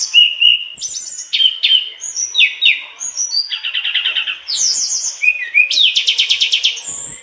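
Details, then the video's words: A mangrove blue flycatcher in full song gives a fast, varied run of high whistles, slurred notes and quick rattling trills, each phrase changing pitch without a pause. "Tledekan bakau gacor bongkar isian"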